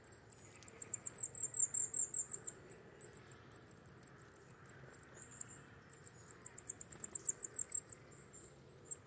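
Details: Wallcreeper wintering on a rock face in Czechia, moulting toward breeding plumage: very high, thin ticking notes in quick bursts, about three per second, with short pauses between the series, over a faint low background hum.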